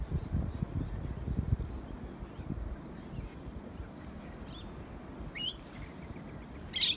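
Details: Lorikeets at Urunga, Australia: two short, harsh, shrieking screeches break in near the end over a low rumble of wind or distant traffic.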